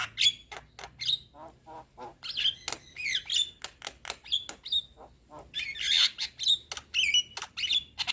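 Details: Young Javan myna in lively song: dense stream of scratchy clicks and harsh chatter broken by short clear whistled notes, repeated roughly every second, with a faint low hum behind.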